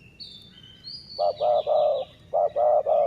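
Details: Dove of the city-line style heard in a decoy session: after a second of quiet, a run of low, rounded coo notes begins, a short note then longer held ones, with a pause before another group. Thin high chirps from other birds are heard earlier.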